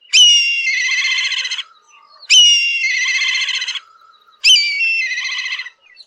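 Black Kite giving three shrill, whistled calls, each a high sharp note sliding into a quavering, trilled whinny, repeated about every two seconds.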